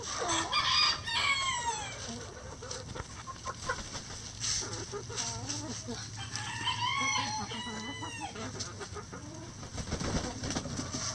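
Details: Rooster in a backyard flock foraging among pine needles and leaves for bugs, worms and pecans; two loud, harsh, descending harmonic calls several seconds apart, with murmured clucks and scratching in between.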